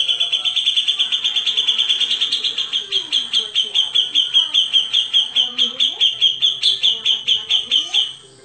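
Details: A grey-cheeked bulbul in full song gives tight, rapid bursts: a high, ringing run of notes, about two or three a second, held on one pitch. Faint lower bird chatter sounds behind it.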